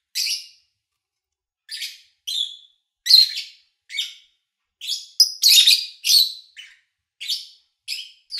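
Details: Lovebird owned as a pet, captured in August 2019 with little background noise: scattered piercing chirps after a long opening pause, building to a dense, rasping flurry midway, then spaced single notes.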